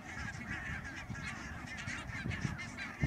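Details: Barnacle geese recorded on 16 March 2009 at Schouwen-Duiveland and Goeree-Overflakkee, Netherlands: a dense chorus of short, yapping, nasal calls overlapping continuously, with a steady low rumble of background noise underneath.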